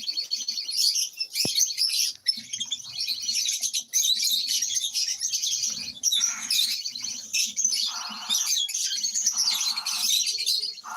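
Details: Several caged lovebirds keep up steady shrill chattering and sharp chirps, with a low background hum and a few soft thuds underneath.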